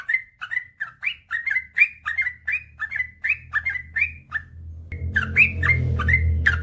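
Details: Trucukan, or yellow-vented bulbul, delivering a rapid rolling gacor song of bubbly whistled notes, about four per second; after a brief gap the singing continues over a louder low droning noise.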